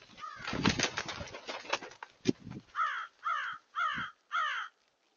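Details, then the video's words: Many crows on 31 January 2023: loud rustling and mixed noise at first, then four clear harsh caws spaced about half a second apart. "crows 01-31-23"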